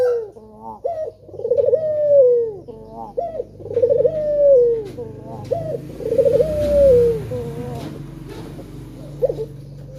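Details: Male collared dove, a lively caller, giving a lure call to coax other doves into calling: a series of wavering, rolling coos ending in a long, gently falling drawn-out note, repeated about every two seconds, indoors with faint background hum.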